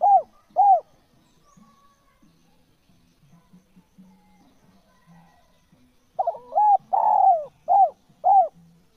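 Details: Two short arched coos from a natural spotted dove, a long near-silent stretch with faint low hum, then a complete cooing phrase ending in two brief rounded coos.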